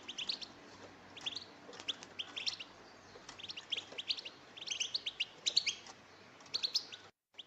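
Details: Goldfinch song played to attract goldfinches for trapping: quick bursts of high twittering, chirping notes in irregular clusters over a steady faint background hiss, ending abruptly.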